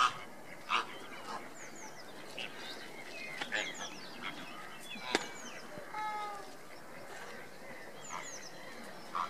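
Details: Andean flamingos displaying, recorded on 29 April 2014: scattered honking and nasal calls from a flock, with short rising and falling notes over a steady background hiss.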